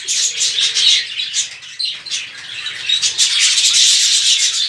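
A colony of budgerigars chattering together, a dense wash of high chirps, warbles and squeaks.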